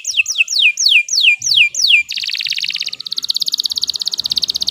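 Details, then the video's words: Canary delivering loud downward-sliding whistles about three per second, then switching to a dense, fast buzzy trill of rapidly repeated notes. "Kicau Burung Kenari 165 II LUAR BIASA GACOR PANJANG"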